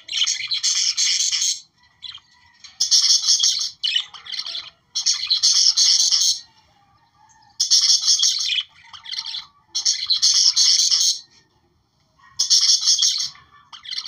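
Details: Australian budgerigars chattering, their sound played to stimulate breeding: dense bursts of buzzy, scratchy warbling and chirps lasting one to two seconds, separated by short quiet gaps, repeating about every two and a half seconds.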